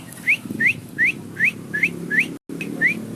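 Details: Nodding Javan myna giving a steady run of short, sharply rising whistles, about two to three each second, over a faint low hum with one brief dropout.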